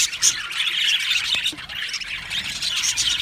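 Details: Budgerigars in an aviary colony, described as happy, giving sharp high chirps and short squawks amid an unbroken background of flock chatter.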